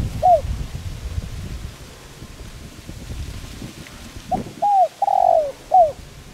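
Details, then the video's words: Spotted dove calling coo, used for training and luring decoy birds; one soft coo at first, then after a low rumbling pause a full phrase of a short note, arched coo, long slurred coo and final coo. "Cu gáy Gáy Gọi giọng sát bổi kích mồi tập bổi hiệu quả/kích bổi nhanh gáy"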